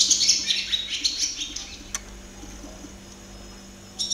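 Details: Barn swallow (Hirundo rustica) singing nearby, a quick high twittering phrase that fades out, followed by near quiet and a brief chirp at the end.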